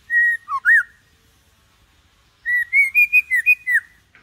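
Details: Calm adult white-rumped shama singing to coax young birds into singing: a clear whistled note with a dip and upslur, then after a pause a quick run of about seven bright whistled notes, stepping higher then falling.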